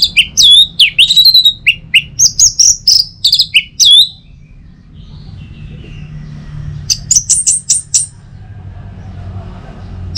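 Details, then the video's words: Orange-headed thrush song, used in the morning to stimulate other birds to sing: a loud, rapid run of varied high whistles, sharp chips and slurred notes for four seconds, then a pause and a brisk series of shrill high notes, with a low hum underneath. "Saatnya Buat ANIS MERAH NGEPLONG Gacor dirumah. Pancing dengan suara burung ini baik pagi hari."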